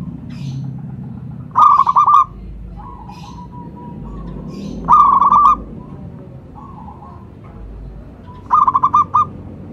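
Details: Local zebra dove used for luring and to stimulate singing. Three loud rolling coo bursts come roughly every three and a half seconds, with soft drawn coos between them over a low hum.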